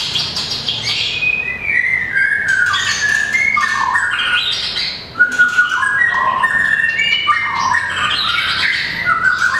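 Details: A mini long-tailed white-rumped shama sings in contest style, flicking its tail and moving along perches; loud stepped whistled phrases climbing and dropping, interspersed with harsh squawk-like notes.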